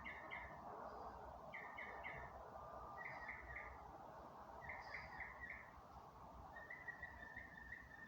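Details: Birds singing in the dark of night on May 27, 2025: quiet, short chirping phrases of three to five quick notes, repeated every second or so over a steady broad background hum.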